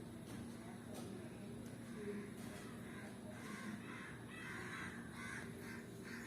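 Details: Lovebirds, described as green Fischer's lovebirds known for long songs, give harsh, scratchy chirps and screechy chatter, denser in the last few seconds, over a steady low hum and a brief spoken voice.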